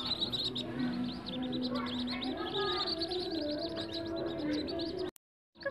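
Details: Captive-bred whistling duck ducklings: a dense chorus of short, high peeping chirps repeated rapidly and overlapping throughout, over a steady low hum with faint tonal background sounds, ending in a brief silence.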